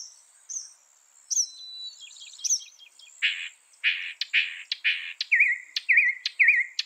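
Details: Northern mockingbird song, a bird said to copy 200 sounds: high thin upslurs, then a burst of buzzy rattles, a run of harsh scratchy notes, and three repeated wavering whistles near the end.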